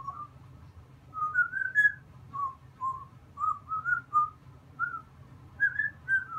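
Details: African grey parrot kept as a pet whistles 'Seventy six trombones': a melodic run of pure, tonal whistles, rising phrases then falling ones, each note clean and separated by short gaps, with a soft steady background hum.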